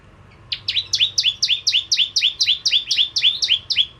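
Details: Vigorous bar-winged prinia (Prenjak Jawa) song meant to lure ciblek kristal: after a brief start, a steady run of about fourteen high, buzzy, down-slurred chirps, evenly spaced.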